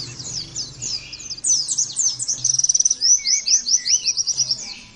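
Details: Oriental white-eye therapy recording, intended as an easy model to imitate: dense, high, sibilant twittering that runs into a quick trill and then rapid down-slurred notes, with a faint low hum.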